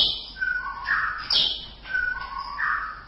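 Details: Song of a White-rumped shama: repeated two-part whistled phrases, a clear note dropping to a lower one, broken by a loud high sharp note in the middle; faint hiss behind.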